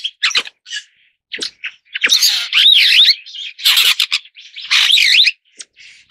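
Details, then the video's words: A superb starling, Lamprotornis superbus, mixes scratchy chatter with looping whistled phrases that swoop up and down, repeated in several bursts over about six seconds. "栗頭麗椋鳥/Superb Starling"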